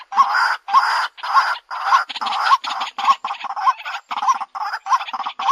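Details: White-breasted waterhen lure call for drawing birds closer: harsh, croaking notes repeated about every half second, each with a short kinked tone, separated by brief gaps.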